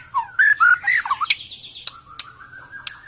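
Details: Used for luring: a white-rumped shama gives a short phrase of fluid, warbled whistles, then a long, thin, level tone broken by sharp ticks.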